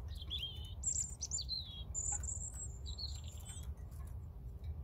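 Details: European robin in full song: a quick run of high sweet whistles, slurred downward notes and a long thin sustained tone, densely packed over nearly five seconds, with a low background hum.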